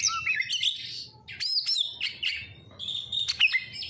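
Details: Oriental magpie-robin song used as a lure: bright whistled phrases mixed with sharp chips and a long thin sliding whistle, delivered in uneven bursts over a low hum.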